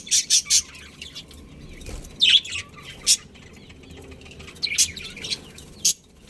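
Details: Budgerigars of a colony breeding pair chirp in separate bursts: a quick triple of sharp high notes at the start, then single squeaky chirps spaced about a second apart, with faint rustling.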